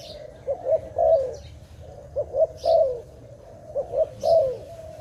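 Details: Dove calling in a rural setting: three phrases, each two short rising coos followed by a longer, rolling, slightly descending coo, repeated roughly every one and a half seconds, with faint high chirps from other birds.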